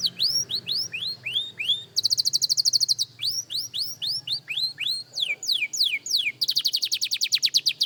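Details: Young canary in singing practice, alternating runs of curved, upward-flicking whistles with two fast, high, ringing trills, over a faint low background hum.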